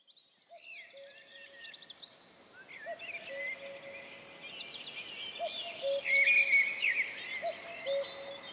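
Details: Common cuckoo recorded in Wales in April 2004 gives its low, falling two-note 'cuck-oo' about every two and a half seconds, with busy high songbird chatter over the top.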